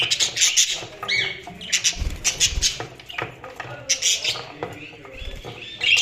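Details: Budgies chattering steadily, a busy mix of short buzzy chirps and squeaky notes coming in quick irregular bursts, with a few low thumps beneath.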